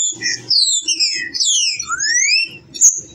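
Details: A trinca-ferro, or green-winged saltator, gives a rich run of high whistled slurs, several sweeping downward and one long rising glide, over a soft rhythmic low background rumble.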